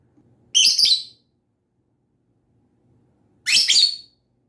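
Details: Two sharp, grating lovebird chirps, each a quick double-pulsed screech, separated by about three seconds of quiet with a faint low hum.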